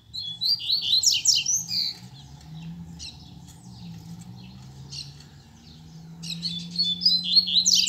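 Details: Male coleiro (Double-collared Seedeater) kept by a breeder, singing after his female arrived: bursts of high, fast chirping notes with sweeping slurs, a quiet pause with low hum between them, then the song resumes.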